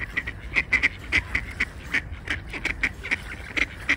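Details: Ducks on the water at Tveiten, arguing and fighting: rapid, nasal, chattering quacks repeated several times a second in an unbroken, overlapping stream from many birds.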